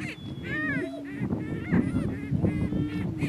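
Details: Male Greater Prairie Chickens clash for dominance on a Kansas lek, their harsh, laughing cackles rising and falling in pitch over a faint, sustained low booming drone.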